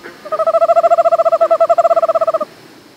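An Eastern Screech-Owl gives a level, even-pitched trill: a rapid run of about twenty-five soft hooting notes lasting two seconds, steady in pitch throughout.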